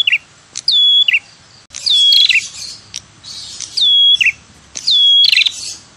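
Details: Prinia call used to lure birds; loud repeated phrases, each a sharp upward flick into a level whistle then a quick chirpy double note, given four times about every one and a half seconds.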